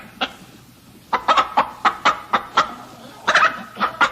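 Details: Hens give clipped, abrupt clucks in uneven clusters, some doubled quickly, over a low constant hum.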